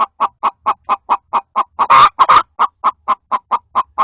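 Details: Inside a coop, a hen fussing at another hen laying an egg gives rapid even clucks, roughly four each second, with a harsh broad squawk in the middle before the clucking resumes.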